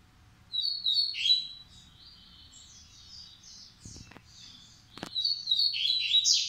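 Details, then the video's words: Double-collared seedeater stud male of the Massai or baiano song type: chirped phrases, softer twittering, two brief clicks, then a louder run of sharp notes. "Coleiro Massai x Coleiro baiano"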